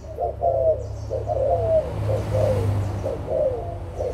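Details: Adult spotted doves, Malaysian and Thai birds, 16 March 2022: a steady string of short, rough coos roughly once a second over a low rumbling background.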